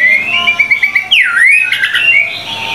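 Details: White-rumped shama tutor song of 25 materials: a short passage of wavering whistled notes, then one loud sweeping whistle that falls and rises again, followed by scratchy warbling.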